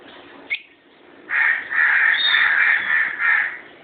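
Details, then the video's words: Two lovebirds kept as pets: one brief sharp chip, then a long unbroken run of coarse, buzzy screeching lasting over two seconds. "Love Birds"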